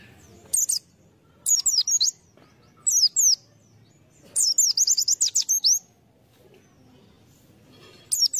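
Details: Pleci, a white-eye kept as a lure bird, sings short high twittering phrases separated by silences, the longest a rapid run of sliding chirps near the middle.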